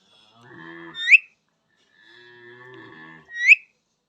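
A parrot gives two drawn-out, nasal, almost mooing calls about two seconds apart, each ending in a sharp, rising squeak. No other sounds are heard.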